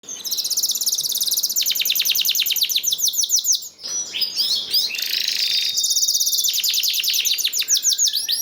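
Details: Canary song used as a lure to get other canaries singing: rapid trilled tours of high down-slurred notes, changing pattern every second or two, with a short buzzy, harsher passage midway before the rolling trills resume.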